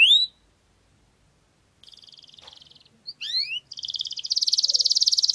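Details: Canary singing in a garden: a single rising slur, a silent gap, then a buzzy trill, quick upslurred whistles and a loud, fast, sustained rolling trill.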